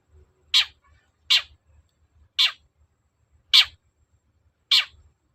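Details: Long-tailed shrike singing persistently, used as a lure to make other shrikes answer: five harsh, rasping notes sweeping downward, spaced roughly one second apart, with a faint low rumble beneath.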